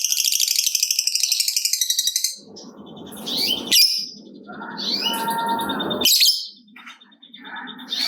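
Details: Lovebird 'ngekek panjang' long trill meant to stimulate other lovebirds. A shrill, rapid, pulsed chatter lasts about two seconds, then gives way to scattered high chirps over a noisy, rustling background.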